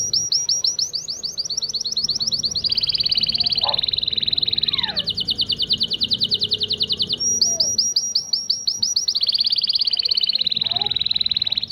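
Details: Syrian local canary song for training chicks: a sequence of rapid high rolls, each shifting in pitch and speed, with brief downward sweeps and a steady buzzy trill, continuing almost without pause.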